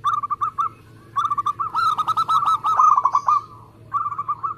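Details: Zebra dove of a local contest type in fast, close-knit song: short cooing phrases build into a longer rapid run of about a dozen ringing notes, followed by a brief closing phrase.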